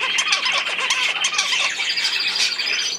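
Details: Budgerigars chattering together, a dense mix of harsh squawks and short warbled notes that overlap continuously with no pauses.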